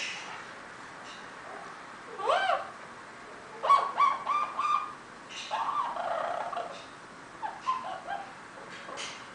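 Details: Eclectus parrot giving rising nasal squawks and wavering mid-pitched calls with short pauses between, over a faint hiss.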